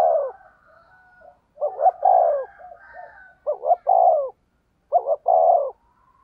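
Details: Spotted dove luring coos, 'thúc gù giọng thổ đồng' style: three low phrases about every one and a half seconds, each a clipped stuttered pair then a sustained hollow coo, with soft murmurs between.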